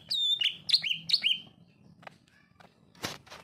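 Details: A greater green leafbird delivers narung song: four ringing whistled notes in quick succession, each slurring down, followed by a few soft clicks and a sharp burst of noise.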